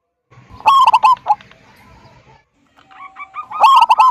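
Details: Zebra dove of local wild stock giving loud 'kung' style song meant to draw other doves into singing: bursts of fast, rolling, trilled coos separated by quieter murmuring and a brief level tone.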